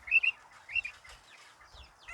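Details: Chicken chicks with their mother hen cheep: a few high, thin peeps in quick pairs, then softer scattered chirps over faint background rustling.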